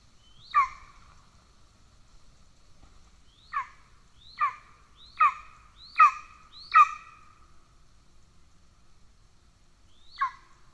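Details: Golden eagle at a nest in Estonia, 17 July 2024, as the male brings a pigeon. Scattered, quieter calls: one single squeal, then a quick burst of five, then another lone squeal after a pause.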